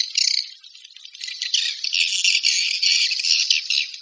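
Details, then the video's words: Swiftlet calls: a continuous high, buzzy chattering stream swelling in loudness after the first second and holding steady, raspy and rapid throughout. "Suara Walet Panggil"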